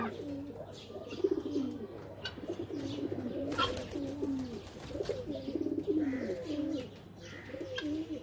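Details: Several loft pigeons coo together in rolling, bubbling phrases that overlap without pause, with a faint higher chirp and occasional wing flutters over a constant low hum.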